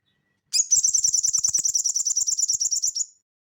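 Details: Crested jay song in the ngeleper style, recorded as training audio for cage birds: a single sustained, very rapid, high buzzy rattle of evenly repeated notes running about two and a half seconds, then it stops cleanly.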